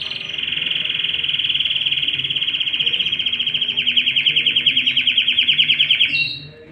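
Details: Male canary courting a female and feeding chicks in the nest: a long, sustained high-pitched warble that turns into a fast, rapidly pulsed trill near the end, then stops abruptly.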